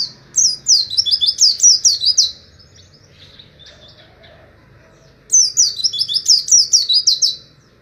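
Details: Oriental white-eye in the wild-type 'ngalas Wit Wit' style, used as tutor material for birds to copy: two bursts of rapid, high, sweet chirps sliding downward, about ten notes each, separated by a quiet pause.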